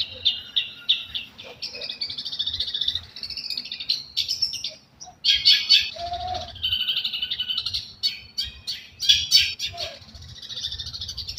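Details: Long-tailed shrike singing a continuous scratchy, buzzy warble with rapid rattling trills and sharp high chips, about four notes a second, steady low hum underneath.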